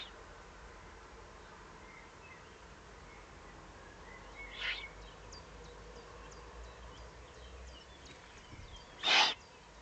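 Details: Eurasian eagle-owl below its nest site in the Eifel, 31 May 2020. A faint breathy burst comes mid-way, then a louder, short, harsh hiss near the end. Thin distant bird chirps sound over steady background noise.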